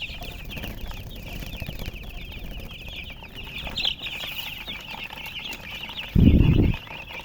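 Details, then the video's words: Many baby chicks peeping continuously in rapid, high-pitched chirps, several per second, over a low rumble, ending with a sudden loud thud near the finish. "MURGI Baby "Chicks Chirping" Sound"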